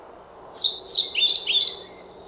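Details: Song of a European pied flycatcher, a short loud burst of four high, sliding, twittering notes in just over a second, bright and clear against a quiet background.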